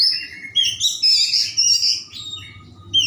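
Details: Oriental magpie-robin (kacer) in full vigorous song with rich varied phrasing, used as a lure to prompt slow-to-start birds to sing: loud high whistled and scratchy phrases in rapid bursts, a sharp rising note closing it, faint low hum beneath.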